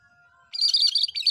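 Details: Cucak kerinci bulbul in full, lively song: one dense burst of rapid, high chattering notes lasting under a second after a faint tone.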